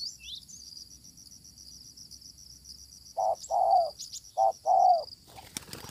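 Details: Fierce wild spotted dove met while luring with a decoy: after a quiet stretch, two pairs of low coos, short then long, then a clatter and a man's brief words; high insect buzzing throughout.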